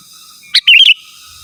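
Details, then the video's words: Sooty-headed bulbul singing vigorously, natural song without mixed-in phrases, calling rivals: one sharp high note, then a quick bubbly warbled phrase of several rising and falling whistled notes lasting under half a second, over quiet background. "Suara Burung KUTILANG GACOR Asli Tanpa ISIAN Ampun Untuk Suara Panggilan dan Masteran"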